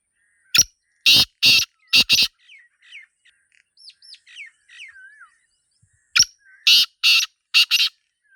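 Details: A Black Francolin (Sindhi teetar), recorded in a natural setting, gives two loud, harsh, grating phrases: a sharp click, then three or four rasping notes. Faint slurred whistles from other small birds fill the gap between them.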